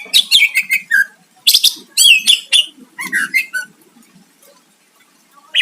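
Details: Greater green leafbird singing to provoke a rival: quick series of descending whistled notes and loud chattering phrases, fading into near silence toward the end.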